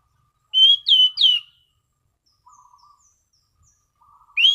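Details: Orange-sided thrush singing in relaxed ngeplong style, clear and steady, in prime condition: three loud, clear whistled notes, each sliding downward, given in quick succession, then faint low chatter and the start of another phrase.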